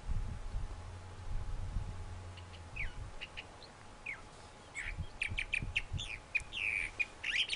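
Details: A thrasher sings quietly at first with scattered slurred notes, then bursts into a faster, louder string of chirps, whistles and harsh squawky phrases over low background rumble.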